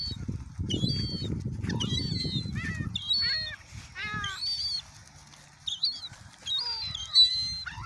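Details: Feeding gulls at Oyster Bay, loud rumbling noise at first, then clearer descending mewing calls and thin high squeals from several birds, spaced by short quiet gaps.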